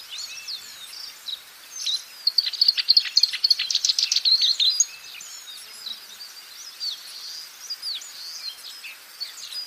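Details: Wild black-browed reed warbler in lively song: a dense burst of high, scratchy chattering notes for a few seconds, then softer scattered chirps over a faint steady background hiss.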